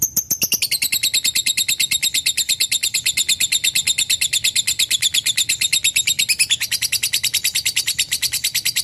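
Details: Extended lovebird chatter in the 'ngekek' manner: a nonstop run of rapid, crisp high chirps, about three per second, dipping slightly in pitch and then lifting near the end.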